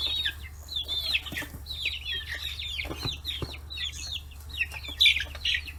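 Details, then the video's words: Free-range chicks aged forty days clustering around fish heads in Hiroshima Prefecture, Japan; a continuous chorus of high, wavering peeps from several birds, with occasional pecking knocks. "chicks chirping sounds"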